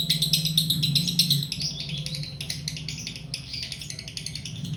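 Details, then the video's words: Rapid high chirping from a female lovebird in breeding condition, loud and dense at first, then looser and more varied notes that soften toward the end, over a low steady hum. "Birahi bunyi lovebird betina"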